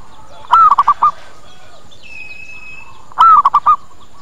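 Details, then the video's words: Two phrases of a zebra dove lure call for drawing birds in, a bending coo with three quick short coos following, separated by a thin steady whistle from another bird. "Suara PIKAT PERKUTUT Cepat Pada Datang dan Nyaut"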